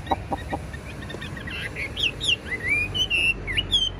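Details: Tame caged Chinese hwamei, a young bird with a broad fanned tail, singing a string of clear whistled notes that slide up and down, with a few short clucking sounds at the start.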